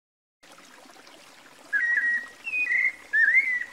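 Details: White-necked Thrush (Turdus albicollis), Brazil, singing three short, clear whistled phrases, the last one rising, over a soft steady hiss like distant running water.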